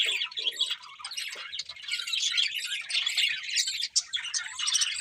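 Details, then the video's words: Budgerigars chirp in a steady flow of high, squeaky chatter and trilling warbles, with a brief dip in the sound just before four seconds. "Beautiful Budgies Chirping Sounds"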